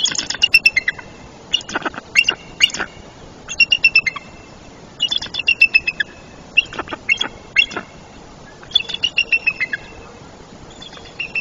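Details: Female eagle at a tree nest in Trempealeau, Wisconsin, on 04-03-2024, calling for her absent mate after the first chick hatched, with fish on the nest: bursts of sharp, high chittering notes repeated in series every second or two.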